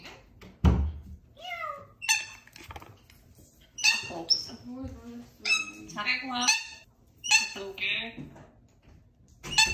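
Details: Pet grey parrot talking, imitating the voices of family members, copying the voice of whoever originally said each word: a series of short, varied speech-like syllables and squeaky vocal bursts with pauses, in an indoor setting.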